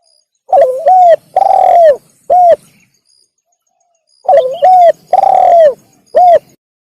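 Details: Spotted dove call used to lure wild doves: a loud three-part phrase of a wavering coo, a long drawn-out coo, then a short final coo. The phrase repeats twice with a pause between.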